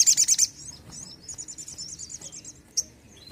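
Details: Crimson sunbird (sogon): an opening burst of rapid, loud, very high chips, followed by a softer, steady trill of thin ticking notes and one sharp closing chip.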